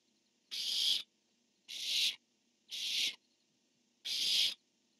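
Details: Male barn owl calling and female answering on a nest camera: four rasping, hissy screeches, each about half a second, repeated at roughly one-second intervals against a soft background hiss.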